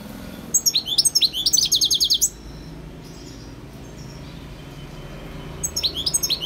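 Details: {'caption': 'European goldfinch singing in 2020: a rapid tinkling burst of high twittering notes and quick buzzy trills, then a pause with low background rumble, before another short bright twittering phrase starts near the end.'}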